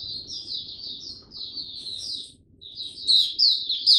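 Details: Young male white-eye practising song, February 2022: high, sliding warbled phrases over a low background murmur, turning louder and sharper in the last seconds.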